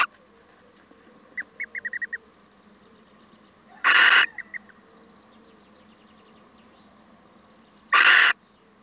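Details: Male little owl calling on a visit: a rapid run of five short, bright yelping notes, then loud grating screeches about four seconds apart, with a few more short notes between them.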